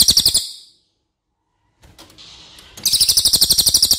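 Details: Racket-tailed treepie song used as a master recording for tutoring other songbirds, a loud, long-voiced crow relative: a burst of rapid harsh, ringing notes, a silent pause, faint scratchy sounds, then another fast pulsing run of about four notes per second.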